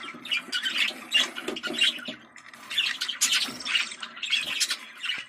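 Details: Budgerigar chatter played to stimulate breeding: dense, scratchy warbling and squawks between about one and eight kilohertz, continuous with brief pauses, several birds overlapping.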